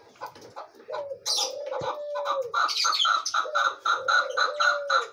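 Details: Chukar partridge with a quickening series of clucking chuk notes in the second half, about four per second, after scattered notes. Two long low drawn notes and high chirps are mixed in.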